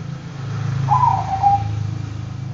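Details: Bangkok-type zebra dove singing: one short cooing phrase near the middle, a quick burst of notes ending on a brief level whistle, faint over a steady low humming drone.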